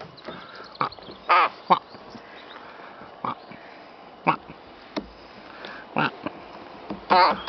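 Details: Rook calling while playing with a feather and a flower: scattered short harsh caws, single notes spaced a second or more apart, over a quiet background.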